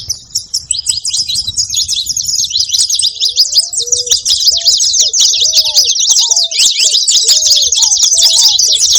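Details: Saffron finches making noise: a dense, continuous chatter of high, scratchy chirps, with a lower series of short sliding whistled notes repeated through the second half.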